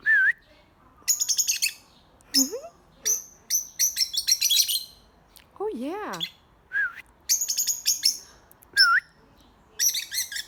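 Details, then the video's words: Birds make noise: repeated bursts of high, scratchy chatter mixed with short dipping whistles and a series of swooping, slurred notes that sweep up and down. "birds making noise"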